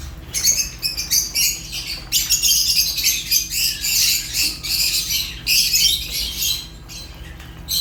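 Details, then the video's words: Fischer's lovebird chattering rapidly, harsh squeaky chirps tumbling out several per second in long excited runs, briefly quieting near the end. "African lovebirds chirps sounds | تغاريد فيشر"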